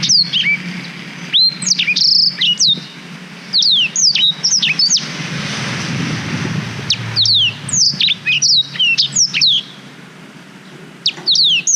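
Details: Canary-training recording of a black-throated canary on a GoPro Hero 5: clusters of high, sharp falling whistles and short trills, broken by a few seconds of quiet with faint background noise.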